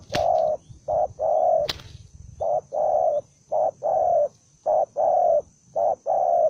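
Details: One aggressive wild-caught spotted dove, spoiling for a fight, repeating loud hoarse coos in even short-then-long pairs about every second, with two sharp clicks near the start and a low rumble beneath.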